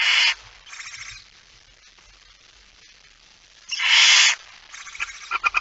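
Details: Male barn owl arriving with a mouse at night, 17 September 2019: a harsh hiss opens, then a long pause, a strong half-second screech, and a run of short stuttering rasps.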